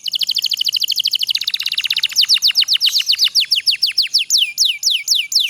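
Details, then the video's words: Canary singing a long rolling trill used as a tutor to get sluggish canaries singing, a very fast run of high repeated notes that slows into loud descending whistled sweeps, roughly four each second. "suara kenari pocong ngerol panjang sangat ampuh untuk masteran kenari loyo malas bunyi jadi gacor"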